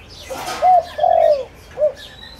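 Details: Lure spotted dove calling for wild doves gives a single phrase: brief coo, long falling note, then a short clipped coo, with a faint high chirp at the end.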